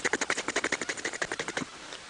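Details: Two Egyptian geese feeding with their beaks through the water of a dam in the morning make a dry, rapid clatter of about eleven pulses a second for over a second and a half, then it falls quiet.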